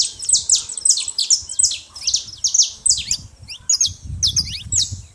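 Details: Saffron finches at a feeding spot, making a lot of noise: a dense, continuous run of sharp, high, downslurred chirps in quick overlapping bursts, with a faint low rumble beneath.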